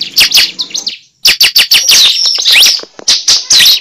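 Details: Cible bird sound used as a trapping lure: quick high twittering chirps, a short pause near one second, then a rapid run of sharp notes and upslurred whistles, close and loud.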